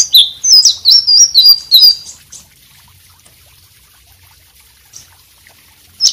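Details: White-rumped shama singing actively, a recording used as tutor song for other birds: a quick, loud run of high whistled and warbled notes for about two seconds, then near silence with a brief note at the end.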